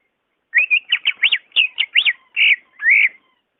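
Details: Greater green leafbird phrase used as a lure for birds that rarely sing: quick, varied whistled notes in a rapid chattering sequence, ending with two longer, smoother warbled whistles, with quiet surroundings.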